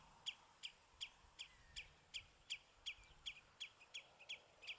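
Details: A bramble branch at Battenoord holds house sparrows, recorded on a compact Sony Cybershot; loud, crisp chirps in a steady sequence near three per second, occasional faint extra notes between, otherwise quiet.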